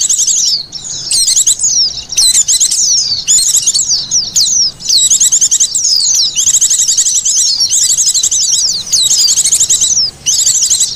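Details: Lure sound of Oriental white-eyes, used to draw birds in: rapid, continuous high-pitched twittering of quick slurred notes and shimmering trills, almost without pause.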